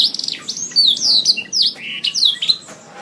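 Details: Short stretch of canary song used to tutor pet birds: loud sweeping whistles and sharp chirps repeated several times a second, each slurring down in pitch.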